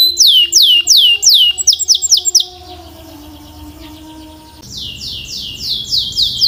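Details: Canary singing a run of quick, sharply falling whistled notes, then a quiet pause with faint low steady tones in the background before another series of falling notes resumes.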